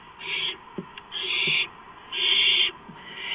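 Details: Barn owl at a nest camera as a gopher is brought in at night in April; drawn-out raspy hissing screeches alternate with short clicks and soft knocks between calls.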